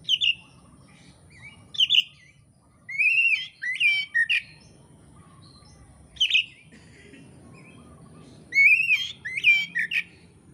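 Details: Oriental magpie-robin (kacer) song, training material for Indonesian songbird keepers: short bursts of varied whistles and chattering phrases separated by pauses of a second or more, with a steady high electronic tone behind.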